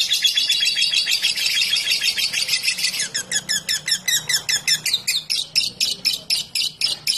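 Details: A lovebird in extended 'ngekek' chatter, played to lure other lovebirds into singing; busy, shrill pulsed notes at first, becoming more clearly separated, regular rasping pulses in the second half, over a faint low hum.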